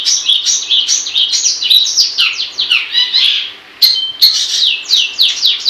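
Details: Continuous scratchy chattering from a long-tailed shrike in gacor style, with fast downslurred notes and a brief drop in volume midway before the rapid phrases resume.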